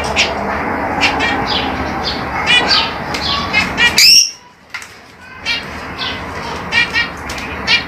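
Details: Sharp, high chirps from lovebirds repeat over a steady low background hiss, broken by a brief near-silent gap midway.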